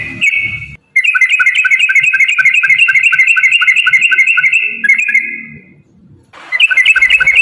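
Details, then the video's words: Energetic yellow-vented bulbul song meant as a lure to get other bulbuls singing: a long, even series of quick, bubbly fluted notes, about four a second, breaking off, then starting again after a short quiet gap. "trucukan gacor TARUNG ROPEL PANJANG pancingan trucukan agar bunyi jadikan burung trucuk gacor EMOSI"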